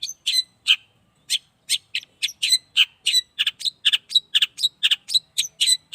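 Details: At its first sunning, an 8-month-old caged Long-tailed shrike repeats harsh, scratchy notes at about three to four per second, speeding up toward the end, against a quiet background.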